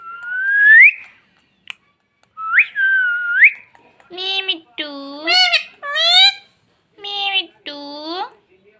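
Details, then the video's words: Pet parrot indoors giving two rising whistles, then a run of rapid "mummy" words in a shrill, harmonic voice, four to five syllables bunched together. "mummy bolne wala tota"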